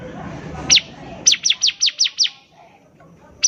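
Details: Bar-winged prinia in full song, recorded as a lure to set others singing: one high downslurred note, then a rapid run of six similar sweeping notes, then a final note after a pause.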